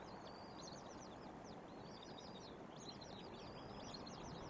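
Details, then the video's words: An eagle at a nest with eaglets near Trempealeau, Wisconsin, on a windy 14 April 2025, possibly the mother, gives thin, high chittering notes in quick bursts, rising and falling, half-buried under steady wind roar. "I'm not sure if that was mom in the background, but there was an eagle vocalizing. That's for sure."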